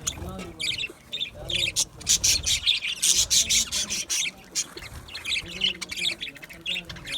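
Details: Aviary budgerigars give rapid, busy chirping. Dense high twittering notes tumble out in quick irregular runs, brightest in the middle stretch, over a faint low hum.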